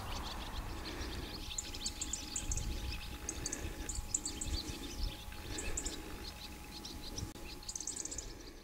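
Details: Flock of swallows massing before flying south for winter, Carrowcrory near Ballinafad, Co. Sligo, 11 September 2009; clustered high-pitched chirps and twitters come in short bursts every second or so above a soft low background hum.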